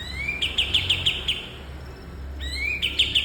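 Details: Cream-vented bulbul (kapas tembak) song recorded as a training master for cage birds: a rising whistled slur, then a quick series of bright, evenly pitched chipping notes, followed by a second upslurred phrase.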